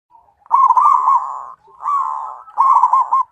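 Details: Singing zebra dove of a local strain: three drawn-out cooing phrases, each a steady hum breaking into quick bubbling trills, the last one the most tremulous.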